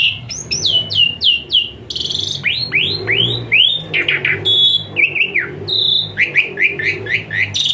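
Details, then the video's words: Asian pied starling song packed with fill-ins and 'tembakan panas' (hot shots), meant as therapy for starlings that sing lazily: runs of high downslurred whistles, brief buzzy bursts and rising slurs, with a faint low hum beneath. "Full Isian Mewah TEMBAKAN PANAS Khas Jalak Suren UNTUK TERAPI Jalak Suren Malas Bunyi Jadi Rajin"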